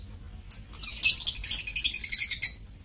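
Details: Lovebirds in an aviary cage, recorded 7 April 2024, giving a dense burst of high, rapid chirps and squeaky twitters that swell after a brief opening chirp, then continue as a rhythmic pulsing chatter for about a second and a half.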